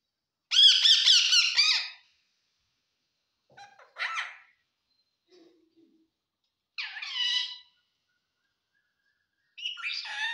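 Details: Talking parrot imitating Assamese speech such as "hello" and "o kaka": short harsh, voice-like bursts separated by silence, the first longest and loudest.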